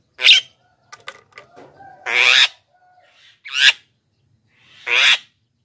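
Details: Black-winged myna singing vigorously, a recording used to lure wild birds and prompt lazy caged mynas to sing: loud, harsh, rasping bursts roughly every 1.5 seconds, with soft whistled and clicking notes between them.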